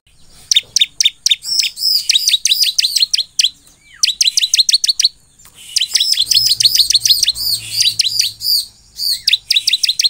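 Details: Bar-winged prinia in full song to prompt replies from other birds of its kind: dense runs of piercing, high downslurred chirps and arched whistles, phrase after phrase, with a low hum partway through.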